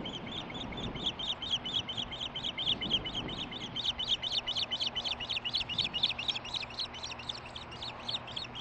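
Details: Female osprey near the nest, chirping while getting a fish on July 23, 2015. Dense, continuous chirps, about two per second, rich and somewhat harsh, with soft background noise throughout.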